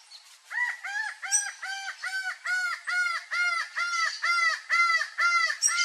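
Laughing falcon giving loud, nasal, arched notes with a harmonic ring, repeated steadily about twice a second in a long laughing series.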